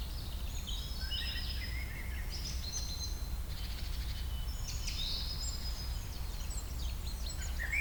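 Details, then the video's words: Woodland birds singing on the shady side of the Bazos forest in Romania. Scattered thin, high whistles and short twittering phrases overlap against a constant deep rumbling background. "Lovely bird sounds in the woods"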